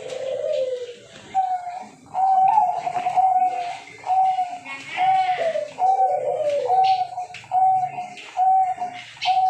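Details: Zebra dove (perkutut) calling actively: short, clear, mid-pitched cooing notes come in a steady series about once a second, some slightly drawn out, with faint voices or background sounds underneath.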